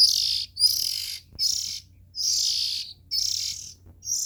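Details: Nestling Oriental magpie-robin with six loud, buzzy, hiss-like calls of varying length, the longest near a second, over a quiet background.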